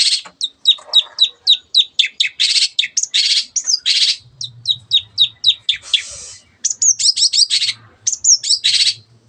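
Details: Shrike; song; provoking other birds to sing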